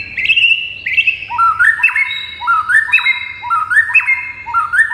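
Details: White-rumped shama in full gacor song, played to make other shamas reply and turn aggressive: a short rising whistled phrase ending in a sharp click, repeated about once a second.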